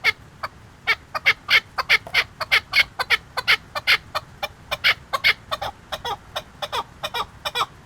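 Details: Chukar partridge in Qubodiyon giving loud, clipped clucking notes in an uneven series, some spaced, some in quick clusters, harsh and bright, with little else audible.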